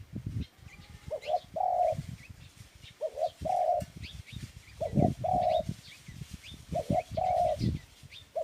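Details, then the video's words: Dove cooing in a repeated low pattern: two short hoots followed by a longer drawn-out coo, about every two seconds, with faint thin chirps of other small birds and low rumbling in the background. "Tiếng chim cu chuẩn"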